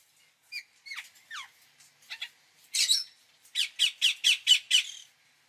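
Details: Indian ringneck parakeet calling: a few sharp, whistled, falling squeaks, then a run of raspy, grating squawks repeated several times a second, in a quiet setting.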